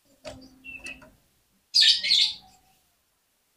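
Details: Oriental magpie-robin (kacer) in full fighter song meant to provoke rival kacer: one short burst of harsh, dense, high chirps, after faint scattered notes and then silence.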